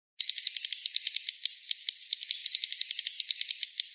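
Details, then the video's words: Swiftlet calls: a fast, uneven train of sharp dry clicks, high-pitched and rattling, continuing steadily for about four seconds with no other sounds. "SUARA BURUNG WALET"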